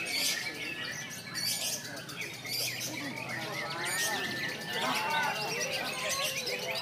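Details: A lovebird delivers konslet song, stated to be clear and long, as a restless chatter of sharp high chirps broken by louder bursts roughly every second, with lower warbling notes between.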